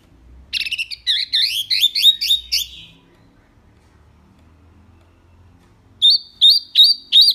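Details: Mini wambi, a bird kept for its rich, loud song and used to teach other birds, giving a burst of rapid scratchy double notes, then silence, then four crisp hooked whistles evenly spaced.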